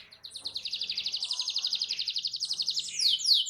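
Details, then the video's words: Canary in loud song to prompt other canaries to join in: a rapid, even, rolling trill of about four notes a second, ending in harsh high scratchy notes. "GAK LAMA BAKAL NYAUT EMOSI KENARIMU DENGAN SUARA KICAU KERAS AMPUH KENARI INI"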